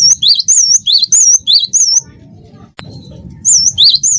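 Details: A wingko cinereous tit's energetic tutor song, meant to trigger singing in other birds: a fast string of high looping whistled notes, then silence broken by a click, then a fresh burst.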